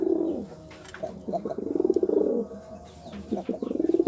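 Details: Courting pigeon giving low, throbbing coos in rolling bursts, each about a second long with brief gaps between, rising and falling gently in pitch; faint background chirps.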